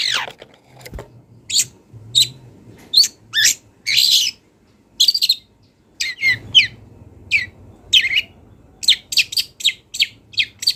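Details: Wild long-tailed shrike in full active song packed with mimicked fill-in phrases: short high chirps and buzzy notes in irregular bursts, sometimes quick doubled notes, over a faint low hum.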